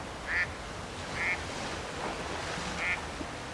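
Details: Three short nasal quacks, irregularly spaced, from a Mallard at Roshchino, Leningrad Oblast, Russia, recorded 23 September 2020 over a low steady hum.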